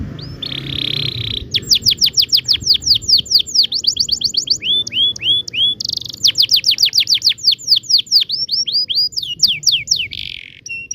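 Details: Canary in long rolling song meant to train young birds: dense high trills alternate with rapid series of steep downslurred whistles and short swooping notes, phrases changing every few seconds over faint low background hum.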